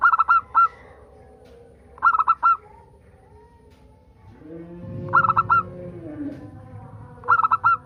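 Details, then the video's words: Local zebra dove song for prompting other zebra doves to sing: short bursts of three to four rapid cooing notes repeated roughly every two and a half seconds, with a soft low murmur rising midway. "Pancingan perkutut agar bunyi"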